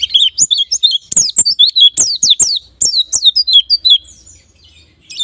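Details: White-eye lure song meant to set birds singing fast in ngalas and nembak style: dense runs of bright, falling chirps with sharp knocks, trailing off into near silence before a final note.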